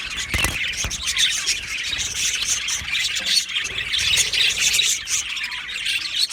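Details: Aviary of Australian budgies heard during breeding and mating: continuous chattering chorus of chirps and squawks, with a few soft low knocks early on.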